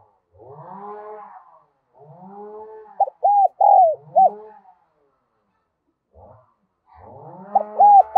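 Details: Decoy spotted dove calling in the Đồng Son style to attract other doves: repeated low rising droning swoops with two phrases of arched, mellow coos and a falling slur breaking through between them.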